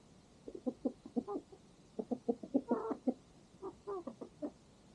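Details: Chickens and a rooster on a farm at sunset while a farm dog eats nearby: a busy run of short, nasal clucks in quick bursts of three to six notes, with brief pauses between groups.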